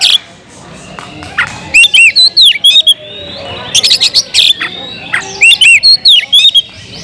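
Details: Caged Oriental magpie-robin in busy, loud song meant to provoke rivals: after a quiet start, clear arching whistles alternate with sharp clicks and scratchy notes in two energetic bursts.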